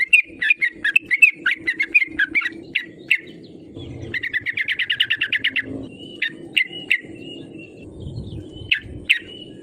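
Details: Yellow-vented bulbul calling as a lure to make rivals answer; a quick run of bright chirps, then a fast rattling series of about fifteen notes, then scattered sharp calls and a thin drawn-out note.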